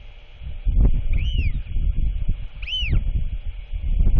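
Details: Royal albatross chick calling while its father returns just before dark on 27 March 2024 to feed it; two short arched, rising-then-falling squeaky notes over steady rumbling wind.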